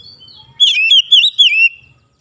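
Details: Oriental magpie-robin (kacer) singing in morning sunlight: a single short burst of three loud, sweet, looping whistled notes sliding downward, after a soft thin whistle, then silence.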